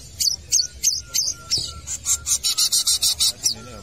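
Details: Long-tailed shrike singing busily at a football field: a run of harsh, scratchy high notes that start spaced and then speed up into a fast, even chatter, over steady low background noise.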